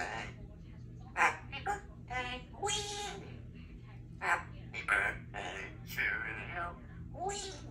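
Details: A three-year-old female Congo African grey parrot kept indoors at a country home, practicing words and sounds: a run of speech-like syllables and phrases with voice-like tones, some higher and squeaky, over a faint steady hum.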